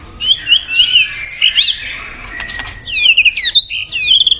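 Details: White-rumped shama song played to lure a mate to a decoy: a run of high, quick whistled and warbled notes, a short pause with a few clicks, then another burst of looping whistles.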